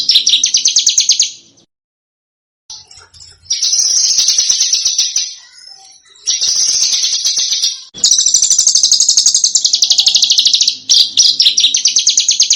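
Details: Small bird pouring out long, rapid, high rattling trills, several extended phrases with short pauses between them, on a master track for teaching contest cage birds to copy richer songs.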